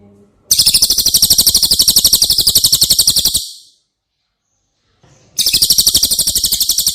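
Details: Cililin bird singing, used to train caged White-rumped shamas: a long, rapid, high trill of evenly spaced metallic notes lasting about three seconds, a silent gap of two seconds, then the same rattling trill starting again.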